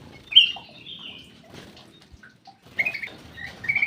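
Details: Black-crested bulbul in an aviary opening with a clear slurred whistle, then a quiet pause with scattered faint notes, followed by several short, bright whistled phrases.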